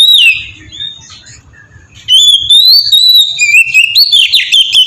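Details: Melodious ngeplong song of an Oriental magpie-robin, meant to lure young magpie-robins into singing: a bright whistled note, a brief hush, then a long run of sweet sliding whistles and fast trills.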